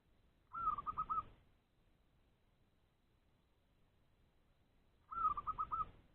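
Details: Zebra dove held in a trap cage, calling to wild perkutut around it to find a rival: two purring phrases of one drawn note and four fast rolling coos, separated by over four seconds of quiet.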